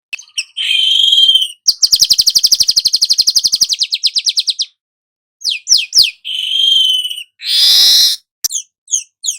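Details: Song of a golden-headed weaver used for song tutoring: a buzzy note leads into a long, fast, even trill, followed by sharp chipping notes and a dense rasping burst.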